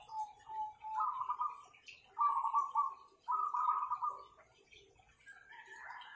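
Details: Several kept zebra doves praised for powerful voices sing rapid, vibrating coo phrases around one pitch, four bursts about a second long separated by short pauses, with a softer higher phrase at the end over faint ticking.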